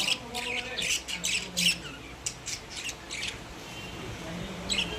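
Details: Caged pet budgerigars: short harsh squawks and chirps in uneven bursts about every half second, then a quieter stretch with a faint low hum and one final squawk.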